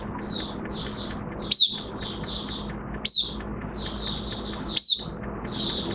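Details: Oriental white-eye in minor moult, recorded 3 June 2022: soft high notes repeated in a steady series, with a sharper downslurred whistle about every one and a half seconds over a low hum.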